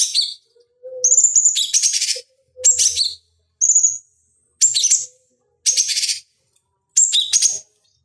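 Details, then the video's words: Cucak cungkok bulbul in a master recording used to train fighting birds: short bursts of high, buzzy chattering trills separated by brief pauses, each opening with a sharp whistled note. "Masteran Pancingan Cucak Cungkok Ampuh Untuk Terapi Dan Masteran Burung Petarung"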